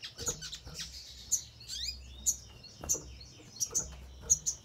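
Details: Crimson sunbird song used as a lure to prompt other birds to answer and sing: sharp, very high thin chips and short descending squeaks spaced irregularly, some soft and some louder, over a faint low hum.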